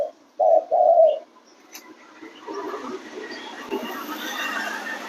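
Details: Spotted dove giving two brief hollow coos at the start, then a rising wash of hissing background noise takes over.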